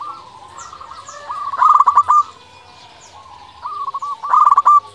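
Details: Local Indonesian zebra dove in full, lively voice, used as a lure to provoke rival doves into answering. Two phrases, each soft low rolling coos building to a quick burst of clipped, stuttering notes.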